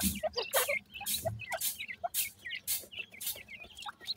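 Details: Partridge chicks chirp among regular scratchy rustling bursts about twice a second, their short high peeps and slurred notes weaving between the noise.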